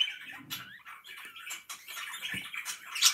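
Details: Chattering pet budgies: a busy jumble of warbling chirps, short squeaks and rasping notes that never pause, with a few soft low taps in the background.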